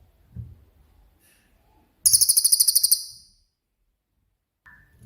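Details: Cililin singing in 'tembakan' style, recorded as master audio for songbirds such as murai batu, cendet and kacer; one sharp burst of about a dozen quick, very high pulses lasting a second, with soft low knocks before and after.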